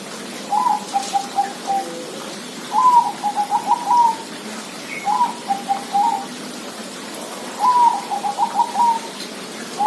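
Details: Zebra dove singing its rolling, stuttering coo phrases, each about a second long and repeated roughly every two seconds, over a soft constant hiss.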